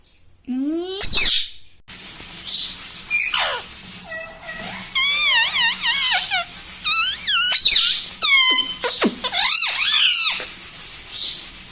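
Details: Pet parrot mimicking household words like mummy and papa, with a steady stream of high, quavering, bent-pitch syllables over a faint hum. A brief lower rising voice opens the sequence before the bird keeps chattering continuously.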